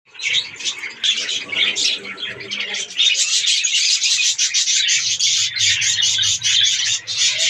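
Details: Captive budgerigars, Australian parrots, in a breeding colony during breeding season, fill the air with dense, continuous high chirping and warbling from many birds at once, quieter at first and then louder, with a faint low hum underneath.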